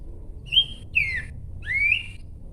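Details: Three pure whistled notes from a Horsfield's babbler: a level note, a falling slur and a long rising whistle.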